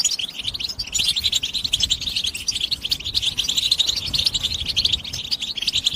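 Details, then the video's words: Continuous rapid twittering of a European goldfinch, a بتبتة stimulation song: shrill, jangling chirps packed tightly together, steady in loudness over six seconds with little else heard. "بتبتة حسون الشوك goldfinch stimulation"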